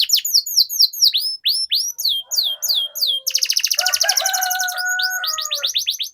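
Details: Canary song in the rolling 'ngerol' style, used to coax canaries into full song. Crisp falling whistles come in rapid succession before a dense trill. Lower sustained tones run underneath in the second half.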